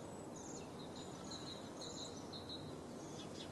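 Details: Bohemian waxwings, wintering in Julianadorp, Netherlands, on 6 February 2015 and feeding on berry bushes in town, give thin, high, sibilant trills, several overlapping in short bursts, over steady background noise.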